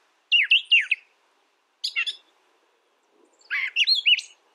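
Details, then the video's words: Three distinct brown thrasher phrases: a loud warbled pair of twisting notes, a short burst of high rasping chips, then a complex rising and falling jumble. "Brown Thrasher Bird Sound, Bird Song"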